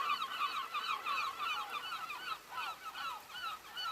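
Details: Early in the morning, before sunrise, in heavy rain, a flock of gulls call together in overlapping, nasal, yelping cries, about three per second, over a steady hiss of rain.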